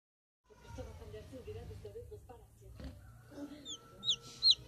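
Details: Newly hatched, artificially incubated chicks, said to peep like this when happy, give a few sharp, high, downward-sliding peeps near the end, after a stretch of low murmuring and a soft voice.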